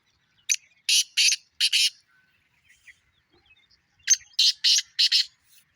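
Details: Two captive Black francolins, on the first calling session of the season, call in turn: each phrase is a quick run of four harsh, grating, high notes, about three seconds apart, with faint clicks between. One keeps its rhythm; the other sometimes misses a note.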